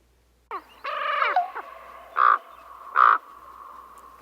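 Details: Common Raven calls, slower and deeper than a crow's: a few low, hoarse, harmonic croaks in a quick cluster, then two short, loud, even croaks about a second apart, over a quiet background.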